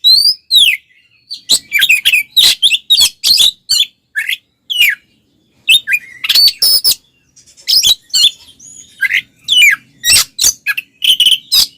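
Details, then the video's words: Oriental magpie-robin (kacer) delivering a combative song to provoke male rivals: rapid, varied phrases of sharp chips, rasping buzzes and whistled slurs, repeated in busy runs with a couple of short gaps. "SUARA BURUNG kacer gacor NGEPLONG TARUNG konslet paling AMPUH buat PANCINGAN KACER agar EMOSI"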